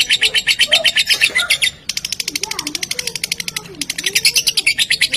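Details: Lovebird lure sound for prompting other lovebirds to sing: dense rapid chattering trills of high buzzy notes, pulsed many times a second in long bursts with brief gaps, and a faint lower voice-like sound beneath.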